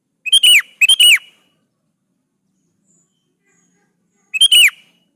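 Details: Sooty-headed bulbul giving its lure song to make other bulbuls respond: two rapid bubbly whistled phrases close together, then a pause of about three seconds before a third identical phrase.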